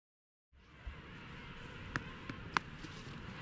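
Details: Silence gives way to low outdoor ambience with a few sharp clicks and taps, and no animal calls.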